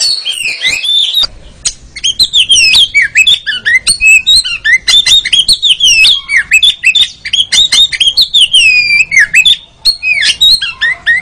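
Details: Oriental magpie-robin (kacer) song used as training therapy for captive birds, meant to bring on rapid 'ngeriwik' chattering: loud, varied whistled phrases with sweeping slurs and quick sharp notes in bursts, brief pauses between.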